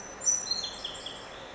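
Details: Song sparrow visiting at a window, singing a brief phrase of high, clear whistled notes that step downward, followed by a few softer slurred notes.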